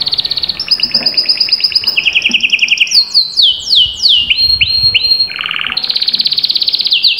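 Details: Spirited canary song used to stir a silent canary into singing, with fast high rolling trills, a lower trilled section, a series of sliding downward whistles and a short deep roll before the quick high trill resumes.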